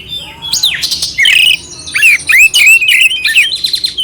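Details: Clear song of an oriental magpie-robin with harsh inserted phrases, used to rouse another bird; fast sequence of sweeping whistles, slurred notes and rasping buzzes, ending in a rapid stuttering trill.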